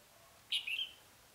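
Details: Red-whiskered bulbul acting as a decoy to attract wild birds: a single short clear whistled phrase of three quick notes, the first loudest, in otherwise quiet surroundings.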